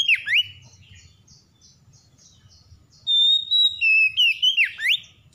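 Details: Oriental magpie-robin, described as stressed and reluctant to call, provoked into lively singing: loud clear whistles with sharp swooping notes, rising and falling, delivered in quick bursts after a quieter stretch of faint chirps, with soft low background rumble.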